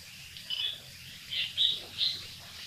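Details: Chestnut-bellied nuthatch from Sattal, Uttarakhand, India, giving four short, thin, high notes, irregularly spaced over under three seconds, with a faint low background hum.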